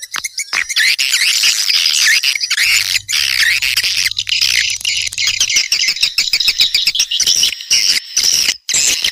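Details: Swiftlet calls used to lure swiftlets: dense, continuous high chirping and squawky twittering, many overlapping notes forming a busy, shrill chorus with brief gaps throughout.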